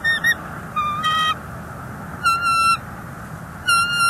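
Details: Bald eagles at a North East Florida nest on a January morning in 2024, an intruder eagle present: clipped short notes mixed with longer level calls, delivered in irregular bursts over faint steady background hiss.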